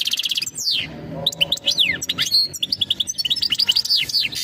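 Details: European goldfinch song given as a mating call to prepare the female for breeding: rapid twittering of buzzy high notes and quick downslurred whistles, with sharp chirps tumbling densely together for the whole stretch.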